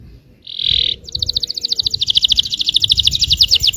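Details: Yellow canary song aimed at provoking other canaries: a brief buzzy note, then a long accelerating rattle of tight repeated notes, with low background hum.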